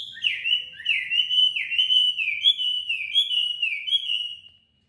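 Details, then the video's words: Tame Chinese hwamei kept in a cage in Hanoi, Vietnam, singing in competition: a clean series of downward-slurred whistles, about two each second, fading out at the end. "Mi thuần MCB99x8A đẹp hót đấu giọng hay tốc độ mỏ tốt"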